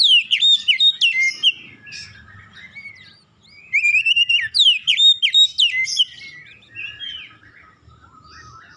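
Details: Oriental magpie-robin song played to prompt other birds to sing along: two strong phrases of varied sweet whistles, sharp chips and downslurred notes, separated by a brief quiet gap, fading into softer warbling.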